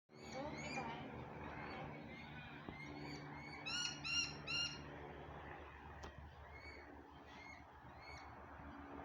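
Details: Parrot calling: a run of harsh, harmonic squawks and chattering notes, with a brief louder burst of rapid repeated squawks near the middle, over a steady low hum.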